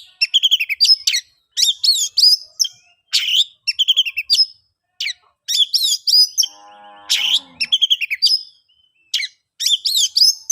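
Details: Oriental magpie-robin ngeplong song meant to prompt quiet birds into singing: dense, regularly repeated bursts of piping whistles and chatter, with a faint low harmonic tone near the middle.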